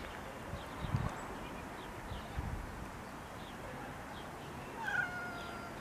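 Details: Common myna (Acridotheres tristis) among groundsel plants in Kiryat Yam, Israel: a short harsh harmonic call near the end, with faint scattered high chirps from other birds over a steady low rumble of wind or distant traffic.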